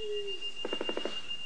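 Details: A male Black Sicklebill at his courtship display area makes a non-vocal sound with bill closed, opening his wings across his back: a quick, even burst of about six dry knocks like distant machine-gun fire, over a high insect whine.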